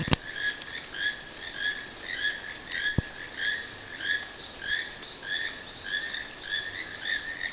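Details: Toucan at Sueno Esmeralda giving a steady series of raspy, harmonic croaks, joined midway by sharp, high chirping notes from another bird, over a thin insect whine and a few knocks.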